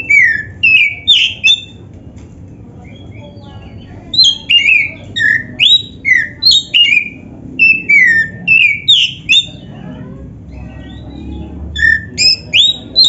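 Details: A black-breasted Oriental magpie-robin sings a gacor song, used as practice and lure for other magpie-robins. Rich, varied whistles, often swooping down, come in long rapid runs, with a quiet two-second break early on.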